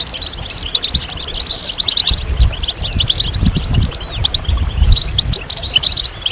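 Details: European goldfinches chattering together, calls intended to get males singing and to signal mating readiness; lively high twitters, slurred whistles and quick trills in overlapping bursts, with low-frequency rumbling throughout.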